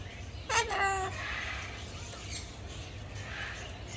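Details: A white cockatoo in Penang, Malaysia, says "hello" to the person filming: a single harmonic, talking-style word lasting about half a second and dropping in pitch, followed by a low background hum.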